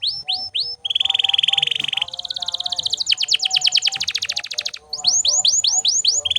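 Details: Singing canary used to train other birds: a few bright sweeps lead into long, loud, buzzy rolling trills at shifting pitches, ending with rising and falling whistled notes; fainter lower tones run underneath.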